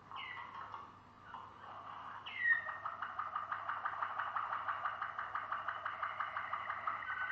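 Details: Malinois Waterslager canary song: a few short gliding notes, then a long, steady, bubbling rolled trill that continues to the end at moderate volume.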